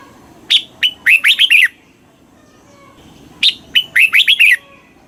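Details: Red-whiskered bulbul song, southern master-phrase style, used in Thailand to stimulate caged birds: two crisp phrases, each a sharp opening note followed by a rapid run of liquid, downslurred whistles, three seconds apart.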